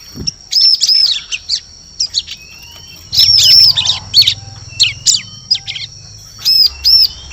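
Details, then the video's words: Bar-winged prinia in a bird-lure recording for forest use: repeated groups of shrill arched chirps and scratchy notes spread over seven seconds, with a steady high whine and low rumble in the background. "Suara Pikat Burung Ciblek"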